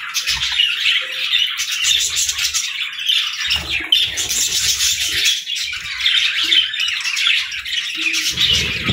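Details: Many pet budgerigars chirping at morning feeding time, a dense continuous chatter of warbling high chirps and squawks, with faint low thumps and rustles beneath.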